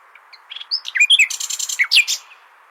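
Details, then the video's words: Common nightingale song used to tutor goldfinches: a short burst of varied slurred whistles and sharp chirps with a quick pulsed trill in the middle, over a steady faint background hiss. "تغريد جميل للعندليب لتحفيظ طيور الحسون"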